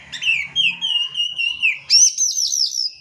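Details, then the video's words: Oriental magpie-robin singing as a stimulus for birds that stay quiet: a long steady whistled note with slight wavers, followed by a bright burst of repeated high looping sweeps. "PANCINGAN KACER MALAS BUNYI,, LANGSUNG NYAUT"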